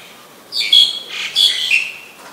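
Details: Black-collared starling in Ubon Ratchathani, Thailand, recorded in rain on 15 October 2021, giving two loud grating chatters of squeaky, whistled and scratchy notes about a second apart, followed by a faint trailing note.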